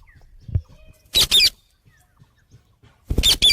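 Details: Parrot giving loud, harsh paired squawks twice, about two seconds apart, with faint low tapping in between.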